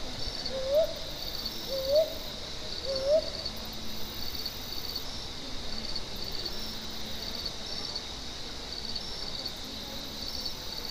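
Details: Three short rising hoots from a brown hawk-owl in Buxa, Alipurduar, India, about a second apart, then only a continuous shrill chorus of crickets and insects for the rest.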